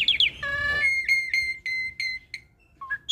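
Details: ASSU hybrid starling, a cross of Asian pied starling and Nias hill myna, caged: squeaky opening notes, a nasal buzz, then a series of clear whistled notes on one pitch, about four a second, ending in two rising chirps.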